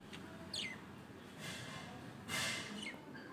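Lovebirds give a few shrill, downslurred chirps and two brief, harsh screechy bursts over a faint hum.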